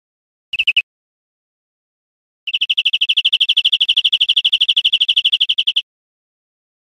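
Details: Greenfinch from Spain, 2013, giving a brief burst of trilled notes, then after a pause a sustained rattling trill of about three seconds, with a single short note at the end.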